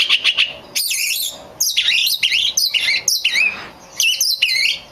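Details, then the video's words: Oriental magpie-robin singing as a lure to provoke other magpie-robins into song: a fast, rich stream of high, varied whistles, rising and falling slurs and chattering notes, delivered in dense phrases separated by brief gaps. "SUARA P4NCINGAN KACER BAHAN"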